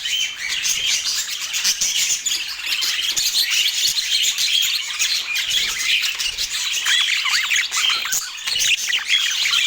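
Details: Budgerigars in Portland chirping together in a dense, continuous flock chatter of high, scratchy warbles and short tweets that overlap without pause for the whole stretch.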